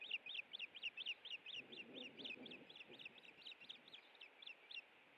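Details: Osprey at the nest on an April 2017 afternoon while a headless fish is eaten, giving a long steady series of sharp, slightly rising whistled chips, about four per second, over constant low background noise.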